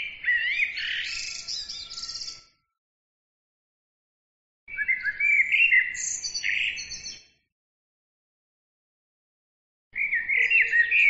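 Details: Bird song delivered in repeated bursts: three strophes of mixed whistles, chirps and high scratchy trills, each about two and a half seconds long, separated by pauses of roughly two seconds.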